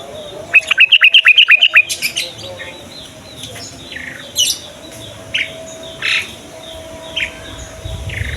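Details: Yellow-vented bulbul in the morning, singing to lure young bulbuls into song: a fast burst of about ten bright, bubbly notes in just over a second, then scattered softer chirps from other birds.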